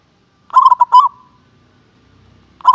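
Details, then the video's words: Prize-winning local zebra dove giving its contest-grade call: a fast run of stuttered notes closing in a soft rolling coo, then the start of the next phrase, with a quiet background. "SUARA PANGGILAN PERKUTUT KELAS LOMBA"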